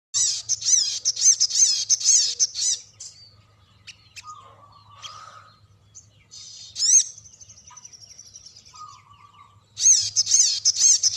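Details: Sooty-headed bulbul singing in a long rolling style (ngerol panjang): fast, high, chattering trills in dense bursts, a pause filled with sparse thin notes and a short whistled phrase, then the rapid trill returns near the end.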